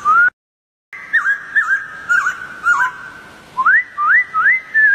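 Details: Wild white-crested laughingthrush (poksay jambul) singing: a string of clear, rising whistled upslurs, some with short wavering twists, repeated roughly every half second after a brief dropout at the start.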